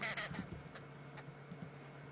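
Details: Arrow-marked Babblers babbling, possibly starting to mob a resting male lion on a sunset safari drive, 30 August 2016: a harsh, nasal burst of chatter, then fainter rasping notes over a low engine hum.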